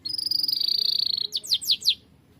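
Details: Canary in full, energetic song, recorded as tutor song for cage birds: a fast high buzzy trill held for over a second, then a few loud descending whistled sweeps, quiet background.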